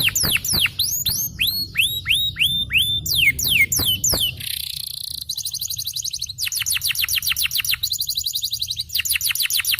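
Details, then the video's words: Yellow canary, described as a champion singer, in long continuous song: loud repeated downward-sweeping whistled notes in fast rolls, shifting to rapid buzzy trills with strings of quick descending chips, all high-pitched. "The choice of the yellow Canary is the cool long sound of the champion"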